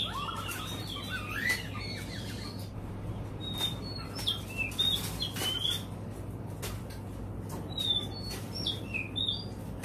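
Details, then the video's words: White-rumped shama of the Nam Cát Tiên type answering a played recording with a rich run of short whistled notes and trills, then scattered high clear whistles and chips, over constant low-pitched hum. "Chòe Than Nam Cát Tiên Hót Vs Máy"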